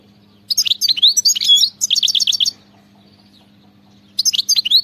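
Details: Wild European goldfinch song: two bursts of quick twittering with a row of rapid repeated chirps, then a pause of over a second before another twittering phrase starts.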